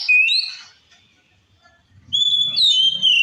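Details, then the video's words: White-rumped shama singing to provoke others: a short whistled phrase, silence, then a clear sustained whistle with a faint low rumble beneath. "Suara Kacer Gacor Ngeplong Ampuh Memancing Emosi Kacer Lain"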